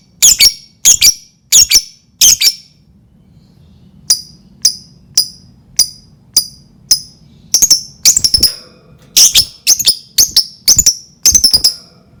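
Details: Lovebird calling as a lure to spur other lovebirds to sing, a fast series of piercing high squeaky chirps in clusters, a brief quieter gap in the middle, then bursts resume with a faint low hum beneath.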